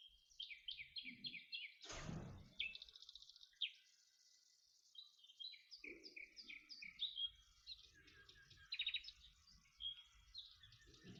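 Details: Two male common nightingales counter singing in song type matching, one bird starting and the next joining in: varied high chirps, rapid trills and buzzy phrases in quick succession, with a brief low noise burst near the start.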